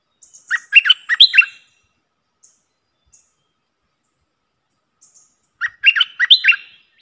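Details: Streak-eared bulbul lure call: quick clusters of bubbly, warbled chirps rising and falling, delivered in two short bursts about four seconds apart, with soft high ticks between.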